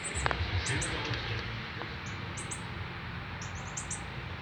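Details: Northern cardinal fledgling on its first day out of the nest, being fed by a male, Canada, 12 September 2020: very high, thin chirps in quick clusters of two or three, scattered irregularly over low rumbling background noise.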